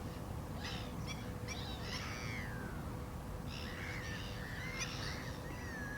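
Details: Black-winged stilt giving nasal, harmonic yelping calls that slide downward. Short bursts come near the start and again after a pause, over a steady low rumble of background noise.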